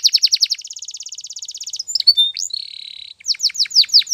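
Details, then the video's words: Morning training song of a canary, Spanish Timbrado named: an even rapid trill of high pulses, a few chirps, a steady buzzy tone, then loud repeated falling notes at about five per second. "Your Canary Will Sing Immediately - Canary's Sound Training Every Morning"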